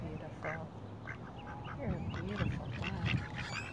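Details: Three ducks quack in short, nasal bursts, their voices overlapping at an uneven pace, with music, a human voice and low background noise.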